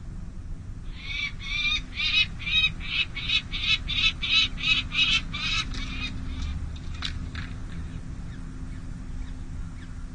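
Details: Peregrine falcon at the San José City Hall nest on 5 May 2022, during the first difficult feeding of two small chicks: a fast run of harsh, grating notes, about three per second for five seconds, then trailing off into quieter scattered notes over steady background hum.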